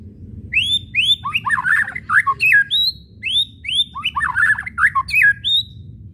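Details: White-rumped shama whistles and chattering used to provoke singing: two phrases, each of rising whistled upslurs leading into harsh chattering notes.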